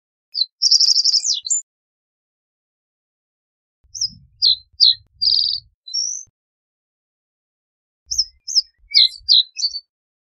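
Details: Reed bunting singing three short phrases about every four seconds. Each is a brief burst of high chirped notes: a rapid rattled trill, then a few separate tweets. Faint low rumbles sit beneath the later phrases.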